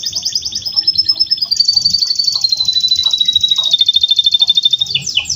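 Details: Home-bred male canary singing a long master song for training: high buzzy trills that slide gently downward, then a fast even rattle of rapid pulses and a sharp closing flourish, over faint low background rumble.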